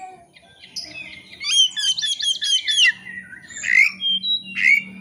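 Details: White-rumped shama song used as a lure to provoke a bird into singing against a rival: varied whistled phrases, a fast run of repeated high sweeping notes, then rich rising whistles and harsh squawky notes, with faint low hum beneath.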